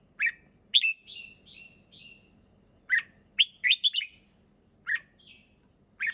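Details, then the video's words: Clear, relaxed song of a red-whiskered bulbul: a chirp, a high note sliding into soft trailing warbles, a pause, then a rapid bright burst of four notes and scattered single chirps. "เสียงนกกรงหัวจุก ร้องสบายๆ เสียงชัด!!"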